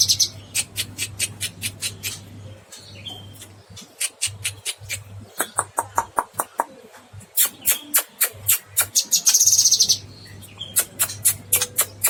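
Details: A cucak kinoy sings hard and long: a steady stream of crisp, very high clicks at roughly four per second, mixed with short trilled flourishes, against a constant low hum.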